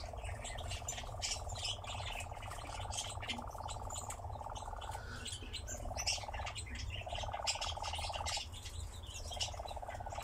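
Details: Nightjar at a ravine giving a long, mechanical, pulsing churr in bouts of several seconds, broken by short pauses and pitch shifts, over a steady low rumble and chirping from other birds.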